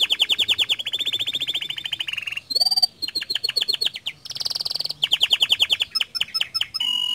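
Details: Canary singing non-stop in gacor style to set other canaries singing: alternating rapid rolled trills, a ringing whistle, dense buzzy rattles and clipped chips, delivered loudly with only brief gaps.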